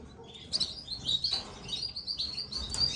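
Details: Gloster canary chicks being fed by a parent, giving dense, rapid, high thin chirps that overlap almost continuously, with louder bursts near the start and end and a faint low background hum.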